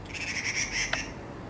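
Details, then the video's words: Taiwan blue magpie, a national treasure of Taiwan shown on the thousand-dollar banknote. It makes one rasping, buzzy call lasting about a second, ending in a short sharp note, with steady low background noise. "台灣籃鵲 Taiwan Blue Magpie"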